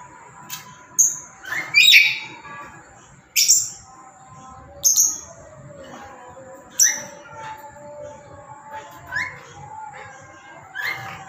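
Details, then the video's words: Black-capped lory, a tame pet bird, calling loudly with repeated harsh shrieks and shorter squeaky notes roughly every one to two seconds, some rising, over a low continuous hum. "Lantangnya suara burung Nuri kepala Hitam"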